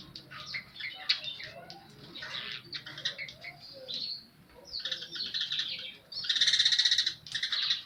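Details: Baya weaver in full song, with mimicked house sparrow chirps: scattered sharp high chirps and twittering phrases broken by brief pauses, ending in a loud, dense buzzy rattle lasting about a second, repeated shortly after.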